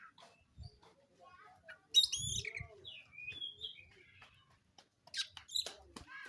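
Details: Oriental magpie-robin of the black wulung form singing as it looks for a rival to fight: a loud run of quick, varied whistles and slurred notes, then a pause and brief sharp chirps, with faint low knocks.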